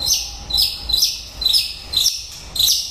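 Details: Sharp, high chirped notes from a White-rumped shama late in its breeding season, repeated about twice a second in a brisk, bright sequence.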